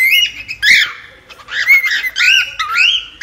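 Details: Cockatiel giving a sudden loud squawk, then a series of rising and falling chirps with strong overtones.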